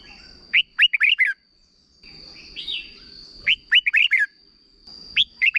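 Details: Red-whiskered bulbul, a Thai cage bird, giving a short doubled song for young birds to copy. Bright whistled phrases of rapid rising notes repeat about every three seconds over a steady high tone, with soft warbling from another bird between them.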